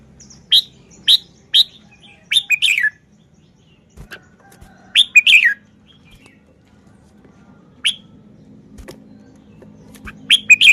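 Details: Caged Red-whiskered bulbul from Thailand displaying its song style: clear sharp whistled notes given singly and in quick slurred groups, spaced irregularly with silent gaps, faint traffic rumble beneath.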